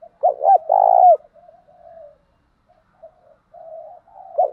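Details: Lure coo of a spotted dove, a provoking call to draw wild doves: a two-note lead-in and a long burry coo, followed by soft murmured notes, with a new phrase beginning at the end.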